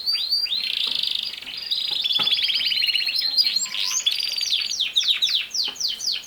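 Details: Canary in continuous song: a steady stream of rapid rolling trills and pulsed notes moves into a burst of quick sweeping chirps and ends in loud, fast repeated figures.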